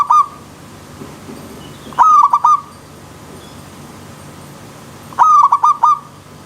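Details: Perkutut, or zebra dove, sings in a wild setting by a river stream: brief rapid bursts of clipped, rolling coos, each phrase about half a second long, repeated roughly every three seconds over a quiet hiss.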